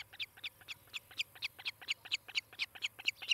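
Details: Osprey at the Charlo, Montana nest, recorded by nest cam in July 2018, late morning: a rhythmic string of piercing whistled chirps, roughly four a second, rising in loudness through the clip.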